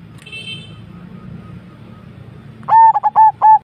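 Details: Javanese zebra dove singing: after a quiet stretch with a low background rumble and a brief faint high whistle, a quick burst of four loud, clear cooing notes, each opening with a short rising lead-in, closes the recording.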